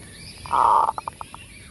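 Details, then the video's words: Zebra dove lure song in kerot style: a strong, buzzy rolling coo held about half a second, then four or five short, spaced notes fading out. "Pikat perkutut FULL KEROT"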